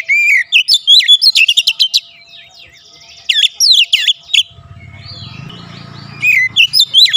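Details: Home-kept Oriental magpie-robin in full song, bursts of loud whistled slurs and rapid clipped chirps, with a gap of several seconds holding a low hum before the singing resumes.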